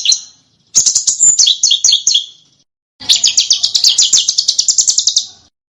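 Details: Small bird singing on a master track for teaching contest cage birds to imitate: a chattering high phrase, a brief silence, then a long, very fast trill of about eighteen sharp notes.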